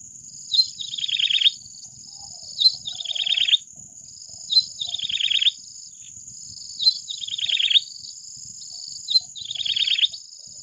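Yellow-bellied Prinia song: a high note followed by a fast, descending buzzy trill, repeated about every two seconds over a steady high insect whine.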